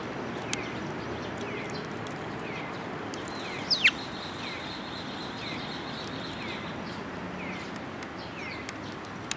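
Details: Sparrows coming to a perch to be fed, recorded 19 May 2022; short downslurred chirps repeat about every half second over steady background hiss, with one louder sharp sweeping note midway.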